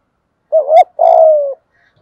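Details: Spotted dove calling to stimulate doves: a rising, wavering coo with a brief sharp click near its end, followed by a long rolling coo that slowly drops in pitch. The background is otherwise quiet.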